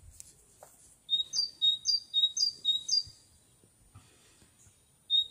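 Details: Songbird recorded in May 2021 delivering five rapid, ringing two-note phrases, each a lower whistle followed by a higher one, then falling silent before starting again at the end. Light rustling underneath.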